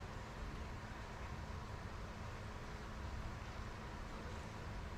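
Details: Steady broadband rumbling noise like passing traffic or machinery, with no animal calls.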